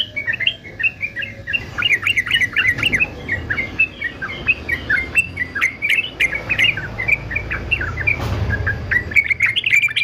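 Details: Male yellow-vented bulbul of fighter type, kept for training other songbirds, pours out a dense run of bubbly, rapid warbled notes around the same pitch band, continuous for ten seconds with a faint low hum beneath.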